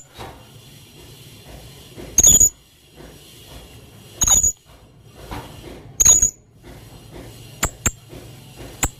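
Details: Lure call of a blue-crowned hanging parrot, meant to make birds answer: three brief, piercing high squeaks roughly two seconds apart, then several quicker, thinner high ticks near the end, over faint low background noise.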